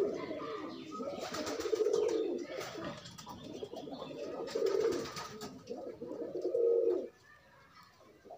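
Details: Courtship coos from pigeons pairing while loose: three swelling, rolling coo phrases about two seconds apart with some flapping noise early on, then near quiet at the end.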